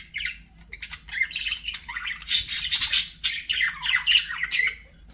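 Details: Happy budgie warbling: a busy stream of harsh chirps, buzzy trills and high squeaky notes rising and falling in loud bursts, fading at the end.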